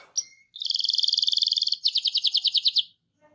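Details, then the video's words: Canary singing a rolling song to coax other canaries into song: a sharp note, then a fast rattling trill for over a second, followed by slower, evenly spaced repeated notes. "RANSANG BURUNG KENARI CEPAT BUNYI GACOR DENGAN SUARA KENARI GACOR NGEROL INI!"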